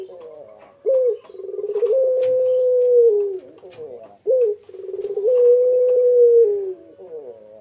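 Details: Nesting Barbary dove (puter pelung) cooing while incubating; two cycles of a sharp short note followed by a prolonged, slightly falling hum, with quiet gaps between them.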